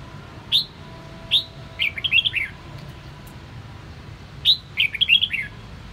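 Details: Red-whiskered bulbul (chào mào Sông Kon) in a song-training recording gives short, bright whistled phrases: clear rising notes followed by quick warbled runs, two bursts a few seconds apart, over a faint low hum.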